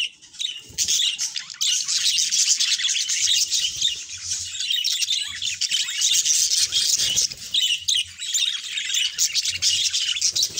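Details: A pair of pet budgerigars singing and talking indoors, giving a continuous, dense scratchy warble of squeaks, chirps and rapid chatter, high-pitched and almost unbroken for ten seconds, with slight dips in loudness near the start and around eight seconds.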